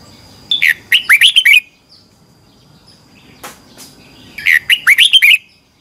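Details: Competition singing of a red-whiskered bulbul, used for training birds: two lively phrases of rapid, slurred whistles rising and falling, each about a second long, with a soft scratchy click and short quiet stretch between.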